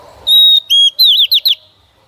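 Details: Female white-rumped shama singing to stimulate a male: a long pure whistle, a lower whistled note, then a quick series of falling slurred whistles.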